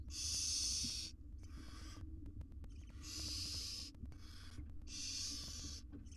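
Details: Wild barn owl mother with her tiny chicks in a research nest box: three loud, rasping hisses about two seconds apart, each trailed by a softer short hiss, with a low constant hum behind.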